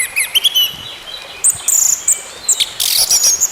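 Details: Orange-headed thrush in song, meant to get a silent bird singing again: short high whistles and chirps, then a harsh buzzy burst with thin sustained whistled notes.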